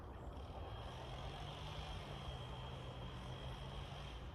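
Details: Steady engine rumble from a large vehicle with a low hum and a faint high steady tone, no animal voices heard.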